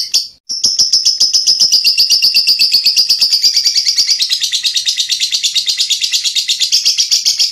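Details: Lovebird recorded as a loud, dense one-hour training track for teaching songbirds such as magpie-robins: a rapid, unbroken stream of sharp, high chirps and chatter, about three notes a second, after a brief pause at the start.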